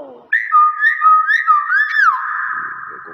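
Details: Hill myna, a talking bird mimicking people, giving a long clear whistle that rises and falls in a series of wavering loops, then holds a steady buzzy tone, with a short bit of speech at the start.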